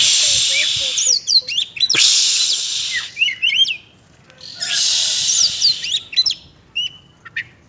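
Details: Oriental magpie-robin, described as bathing and chattering, gives quick high twisting notes over bursts of loud, broad hissing, with a few lower whistles between them.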